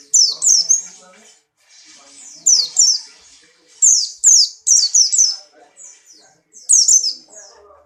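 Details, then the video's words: Buxtoni white-eye in strong breeding condition, hopping nicely: high, sharp chirping bursts that slide downward, given in quick clusters of two or three notes with short pauses between, over a faint low murmur. "burung pleci Buxtoni birahi kencang loncat indah nembak"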